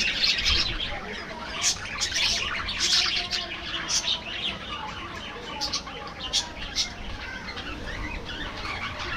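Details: Budgerigars feeding in an aviary in the afternoon, giving loud clustered chirps early on and then softer scattered twitters and short warbles.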